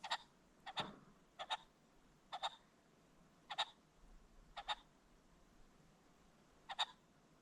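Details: Ring-necked pheasant at dusk along a creek bottom, uttering sharp harsh notes, mostly in pairs, spaced roughly every second, with quiet background between them.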